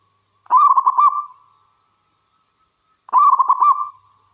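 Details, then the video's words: Zebra dove of the local wild strain in full song, meant to set other doves singing. Two rapid rolling cooing phrases roughly two and a half seconds apart, each with a soft fading tail, in quiet surroundings. "Suara Burung Perkutut Lokal Gacor"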